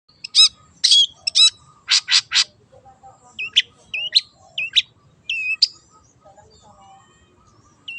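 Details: Wild long-tailed shrike in full, lively song: harsh buzzy rasps in a quick cluster, then sharp whistled and chirping mimic-like notes scattered irregularly, each slurred and high-pitched, over a faint low hum.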